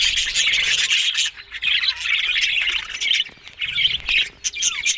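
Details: Budgerigars give bursts of harsh squawky chatter with a few clear downslurred whistles, coming in waves separated by short quieter pauses.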